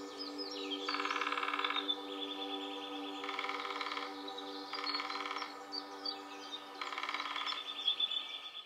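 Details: A female lesser spotted woodpecker, one of a calling and drumming pair in woodland in Nottinghamshire, UK, drums four long, even rolls, each about a second, spaced a couple of seconds apart, over a steady background hum.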